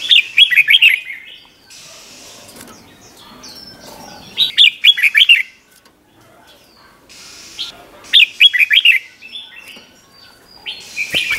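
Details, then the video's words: Red-whiskered bulbul in the doubled-note 'berl' style, the '100 professions' song recorded for training young birds: three rapid warbled phrases about four seconds apart, with soft high chirps between them. "เสียงนกกรงหัวจุกเบิ้ล เพลง100อาชีพ สำนวนเพราะมากๆ สำหรับสอนนก-ปั้นนก"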